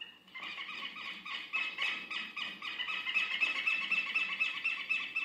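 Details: Southern Lapwing (quero-quero) on monotonous green grasslands, watching over its territory and marking the movements of strangers; harsh, high, buzzy notes repeated rapidly, about four per second, in a steady unbroken series over a faint background hum.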